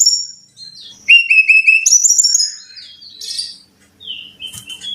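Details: Brown-chested jungle flycatcher song meant to coax caged birds into frequent singing: high level whistles, then a rapid series of repeated short whistled notes, a few buzzier notes, and sliding whistles at the end.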